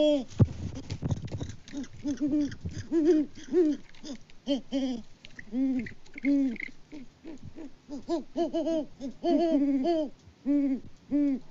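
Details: On a Kansas farm near Peabody, a Great Horned Owl pair hoots together in February 2024, the male unseen. Opening rustle and scratching, then a long back-and-forth of deep hoots, alternating loud and softer notes in uneven groups.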